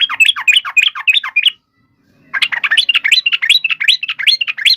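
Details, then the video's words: Yellow-vented bulbul in a fighting song meant to provoke other birds to answer: fast run of buzzy, chattering notes sweeping between mid and high pitch, a short pause, then a longer burst of rapid choppy phrases. "trucukan gacor TARUNG FULL EMOSI TAJAM ini ampuh MENJADIKAN agar burung trucuk gacor NYAUT SEKETIKA"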